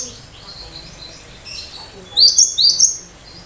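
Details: Cinereous tit giving sharp high 'tembakan' shots meant to draw a response from other birds: faint chatter first, then two loud, clear, downslurred high notes near the end.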